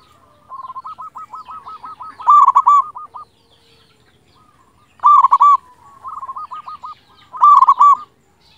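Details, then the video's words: Local zebra dove in full song with a big voice, used to provoke silent doves into singing: quick stuttering coo runs building into loud rolling trilled coos, three phrases in all. "Perkutut lokal gacor suara besar masteran untuk yang malas bunyi"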